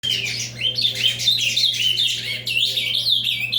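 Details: Ultramarine grosbeak singing a loud, fast, continuous warbled phrase of high sliding whistles and rapid twittering notes that tumble over one another with barely a pause, above a faint steady hum.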